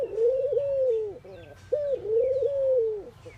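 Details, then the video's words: Indian ring-necked doves during morning activity give two long, low, mellow coos. Each bends slightly in pitch and drops at the end, with a short break between them and faint chirps of other birds behind. "Ringneckdoves calling sound !! Indian Birds Dove morning activity Doves cooing"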